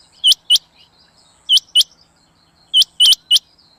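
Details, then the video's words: Rain quail giving sharp, high metallic notes in quick pairs and triplets, like 'which-which', repeated about every one to one and a half seconds, a recording used for hunting. "Rain Quail Sound For Hunting"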